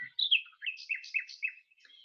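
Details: Male common nightingale's elaborate courtship song, by which females choose males with more complex songs, played during a talk: a quick string of varied whistled and slurred notes, some rising, some falling, in short bursts.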